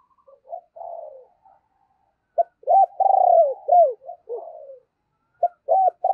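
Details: Decoy spotted dove cooing and urging to call in wild doves: soft low coos, then a rapid run of strong arched notes into a long falling coo, more short notes, and another phrase beginning at the end.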